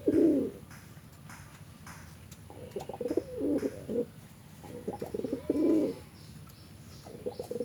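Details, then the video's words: Pigeon giving deep, muffled rolling coos in short bursts, some broken into stuttering pulses, with irregular pauses and light clicking between phrases. "SUARA BURUNG MERPATI LAGI BEKUR/ NGOROK SIRENG VC BRONTOK"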